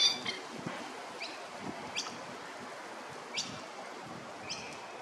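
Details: A baby masked lapwing chick in Maroochydore, Queensland gives five thin, high, sharp peeps at uneven gaps of about a second, over a soft rustling background hiss.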